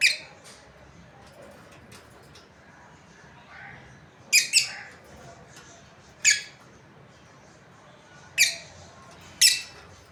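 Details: Breeding pair of lovebirds giving short, harsh, broadband chirps, some doubled, scattered at irregular intervals over quiet background hiss.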